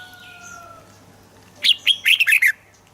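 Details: A red-whiskered bulbul's song phrase, played to get birds excited: after a quiet start with faint drawn-out whistles, a rapid string of loud, liquid, bouncing notes lasting about a second, over a low electrical hum.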